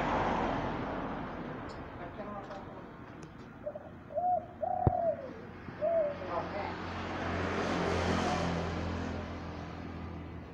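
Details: A local male spotted dove kept by hobbyists gives a short cooing phrase of soft, low, hollow coos, the middle note drawn out, over steady background rumble and faint voices.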